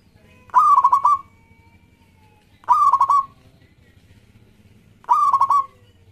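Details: Local zebra dove singing a lure song meant to get other doves singing: three cooing phrases about two seconds apart, each a held note broken into quick stuttering pulses, over a faint low hum.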